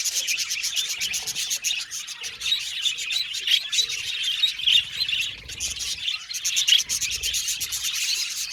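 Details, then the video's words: Happy budgies in a colony aviary: continuous high chirping and warbled chatter from many birds, broken by rapid runs of short clicking or fluttering pulses and a few louder squeaks. "Beautiful Budgies Chirping Sound | Happy Budgies Natural Sounds"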